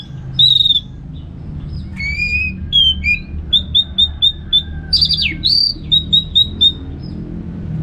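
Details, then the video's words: Orange-headed thrush ngeplong song for training birds: clear whistled notes, then a run of short identical chirps repeated evenly, a descending buzzy note, and another chirp series, over low hum. "$uara ANIS MERAH Ngeplong Santai"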